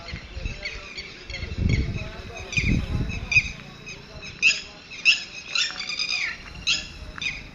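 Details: Titehari or Titodi chicks, the young of the red-wattled lapwing, giving sharp high cheeps in uneven clusters, some louder notes standing out. Low rumbles and handling noise are heard in the first half.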